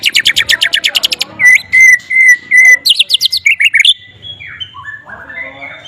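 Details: White-rumped shama singing with flycatcher mimicry, opening with a fast run of high ticking notes, then loud flat whistles repeated about every half second, rising bright slurs, and softer descending whistled phrases.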